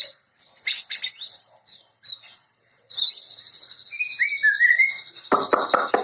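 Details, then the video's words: White-rumped shama (murai) sings varied, high, sweeping whistles, then a long buzzy trill and a few lower rising whistles, ending in four or five sharp, harsh clicks. "Sound Of Murai Bird"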